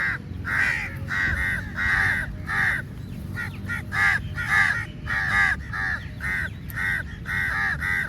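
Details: Many crows attacking food during feeding: raucous, grating caws come in tight clusters and steady repeats, roughly two per second, over low-pitched background noise.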